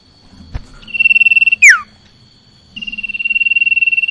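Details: Common iora gives a steady, rapidly pulsed high whistle that drops abruptly in a swift falling note, then starts another long pulsing whistle. A soft click and low hum sit in the background.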